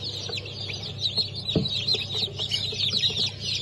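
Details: Chicks from a new hatch of Brahma, Sussex, Sultan and İspenç chickens on 10.02.2023 give a continuous mass of high-pitched cheeping, with a low steady hum and a faint thump.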